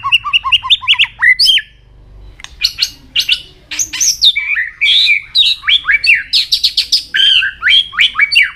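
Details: Varied, rich white-rumped shama training song for many voices and fast, intense singing: a burst of falling whistles, a brief pause, then loud jumbled whistled phrases sweeping up and down in pitch.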